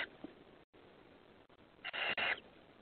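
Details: Five hungry owlets, recorded 28 May 2020, give a loud, raspy hissing screech lasting about half a second, broken by a brief gap, over a steady background hiss.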